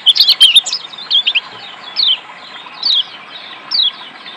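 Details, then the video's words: High twittering burst from a Lombok white-eye, used as therapy to get reluctant birds singing, followed by single falling whistled phrases roughly every second, with background hiss. "terapi Kecial kuning ampuh bikin Kecial kuning malas Bunyi jadi gacor"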